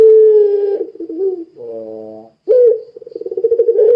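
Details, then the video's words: Frequently calling Barbary dove (puter pelung) serving as a lure to set other doves calling; drawn-out steady coo, a buzzy low note, silence, then an upward-flicked note followed by a fast throbbing roll that swells in loudness. "Suara Burung Puter Pelung Gacor Sangat Ampuh Menjadikan Puter Lain Ikut Bunyi"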